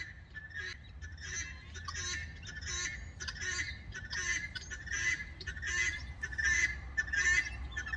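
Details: Guineafowl chattering between roosting groups in trees in Gqeberha (Port Elizabeth), South Africa, the talk going back and forth through the night; harsh, broadband cackling bursts repeated steadily, roughly one every second, over a low background rumble.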